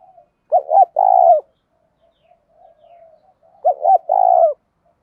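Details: Decoy spotted dove cooing to provoke rivals into fighting; two full phrases about three seconds apart, each two short looping notes then a drawn-out vibrating coo, with soft quiet coos between them.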